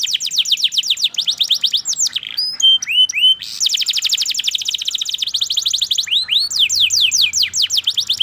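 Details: Long, emotional canary song: rolling high trills of quick descending notes, a burst of loud whistled upsweeps in the middle, then more rapid trills and a few clear sweeping notes.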